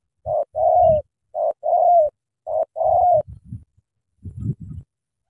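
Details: Spotted dove from Cà Mau, Vietnam, giving three cooing phrases, each a short coo then a longer, steady coo, repeated about every 1.2 seconds, followed by low thumping and knocking noises.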